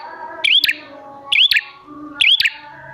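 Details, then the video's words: Prinia lure call: three crisp arching whistles, each closed by a dry click, spaced almost a second apart, with faint steady tones in the background. "Pancingan Prenjak Gacor Jamin Prenjak Malas Bunyi Langsung Nyahut"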